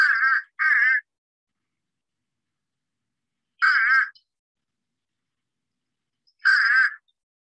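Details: A Fish crow gives its nasal calls, which separate it from the near-identical American crow: a quick double caw, then two single caws about three seconds apart, with silence between.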